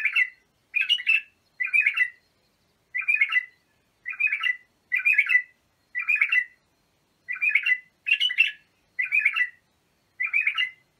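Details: Bulbul song intended for training young birds: eleven or so brief, melodious chirping phrases delivered evenly, about one per second, with clean silence between them.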